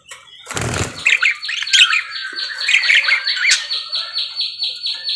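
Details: Lively cage-bird parakeet: after a brief low rustle or thump, a rapid run of high, evenly spaced buzzy chirps continues through the clip, mixed with warbled squeaks.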